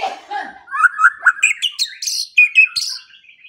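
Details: White-rumped shama song from a morning and evening training recording for quiet birds: a low note, then a lively jumble of short whistles and chips that climb higher, with hissy buzzy notes mixed in.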